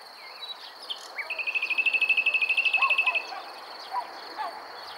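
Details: Common nightingale (Luscinia megarhynchos) near Montana, Bulgaria, 23 May 2020, delivering a fast run of about twenty identical chipping notes that swell in loudness over two seconds, against a steady high insect buzz.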